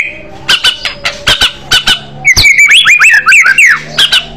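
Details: White-rumped shama, fighter bird in aggressive style: several sharp separate clicks, then a loud fast jumble of twisting whistled notes.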